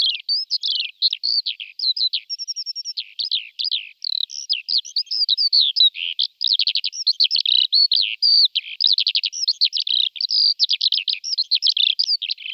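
Eurasian skylark pouring out an unbroken, high, rapid warble of chirps, trills and buzzy notes that runs without pause. No other sounds are heard.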